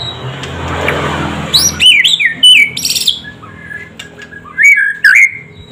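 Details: White-rumped shama (murai batu) in lively, full song: after about a second and a half of low hum and noise, loud whistled notes slide and leap, mixed with harsh buzzy bursts, in two groups separated by a short quiet pause.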